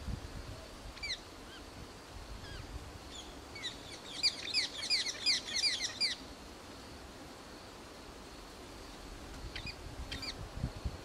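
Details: Parakeets, apparently at feeding, give a quick burst of harsh, high, screechy chirps, about six in two seconds, with scattered single calls before and after over a low rumble.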